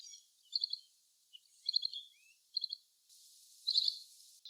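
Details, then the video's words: Little green bee-eater producing several brief high trilled notes in quick groups of three or four, with a soft lower slurred note between them and a burst of hiss near the end. "Call of Little green bee eater | Sound of little green bee-eater | Voice of green beeeater"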